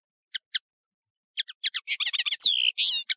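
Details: A European serin sings on a training tape for serins: two thin chirps, then a fast, high, jingling jumble of buzzy notes with one sliding downward whistle, all very high-pitched.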